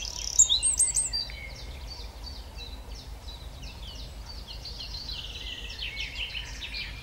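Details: {'caption': 'Eurasian wren singing: a loud burst of very high, sharp notes followed by a long, rapid stream of trilled and twittering notes. Steady low rumble in the background throughout.'}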